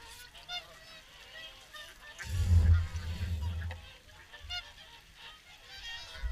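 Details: Swans at the evening feed at WWT Caerlaverock: a chorus of overlapping honking calls from many birds throughout, with a deep rumbling burst of wind or handling noise in the middle.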